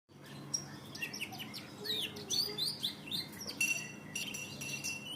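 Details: Canary in the Indonesian song-bird hobby, a lure song: quick chirps and sweeping whistled notes between about two and eight kilohertz, bursts every half second, with a low steady hum beneath.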